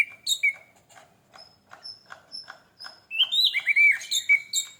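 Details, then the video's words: Orange-headed thrush song meant to spark singing in other birds. Clicky notes repeat about twice a second with thin high whistles, then break into a loud cascade of rich, varied whistled phrases. "PANCINGAN ANIS MERAH MEMICU CEPAT BUNYI DAN GACOR!"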